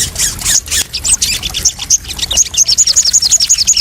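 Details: Crested jay calls played as a lure and therapy for freshly caught birds: scattered high chirps give way to a rapid, even train of short, high, ringing notes, roughly four a second, amid steady background chatter.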